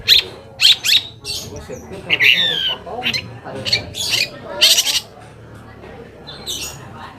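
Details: Long-tailed shrike song used as a lure to provoke other shrikes into answering; harsh, scratchy bursts and sharp squawky notes in uneven clusters, fading into quieter background after five seconds.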